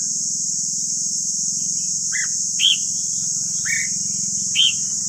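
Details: Red-whiskered bulbul heard in a voice-training recording. Four separate clear, down-slurred whistled notes spaced about a second apart, over a loud low engine-like drone and steady hiss.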